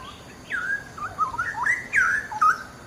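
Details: Straw-headed bulbul (cucak rowo) singing gacor for use as a master song: loud, fluty, gurgling whistles climbing in steps, then a bright upward flourish near the end.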